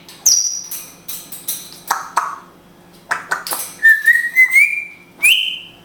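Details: Israeli pet grey parrot that speaks Hebrew: scattered clicks and speech-like syllables, then a long wavering whistle climbing slowly upward and a final rising whistle, with a low hum behind.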